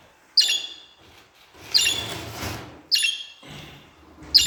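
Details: Budgerigar calls used to get budgies singing and talking: four abrupt, high, ringing chirps at uneven intervals, with a soft rustling, broadband noise filling the gaps between them.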